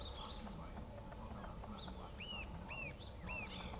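Rufous-tailed jacamar giving sharp, high arched notes about every half second over a steady low rumble, with faint other birds.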